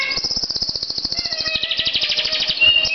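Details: Singing pet canary delivering a fast, even trill of high repeated notes, about three per second blending into a rapid rattle, with a brief whistled note near the end.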